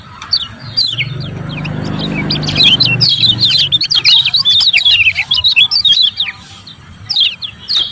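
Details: Lemon-bellied white-eye giving rapid "ciak ciak" chatter, meant to provoke silent birds to sing: quick high-pitched chips and short downslurred twitters, about two per second, over a low rumbling noise.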